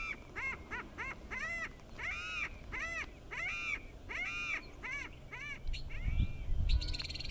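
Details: Greater prairie chicken males on a display lek at Wray, Colorado, in spring: loud arched cackling notes in quick irregular series, about two a second, with low rumbling noise near the end.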